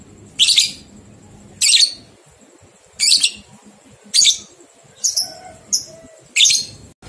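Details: Lovebird ngekek song used as a training recording to get two-month-old young lovebirds singing: loud harsh high chattering bursts repeated roughly every second, with short thin whistled notes between them.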